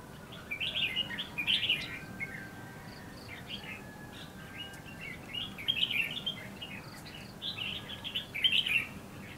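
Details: Decoy red-whiskered bulbul at a trapping site in Lương Sơn, HB, singing to draw wild birds that land in the bushes; clusters of lively chirping, whistled phrases come in runs, with pauses between and steady low rumble behind.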